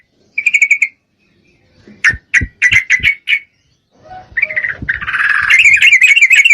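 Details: Calling to a male, a breeding-condition female Yellow-vented Bulbul gives a short pulsed chatter, a row of sharp clipped notes with clicks, then a long rough rolling chatter.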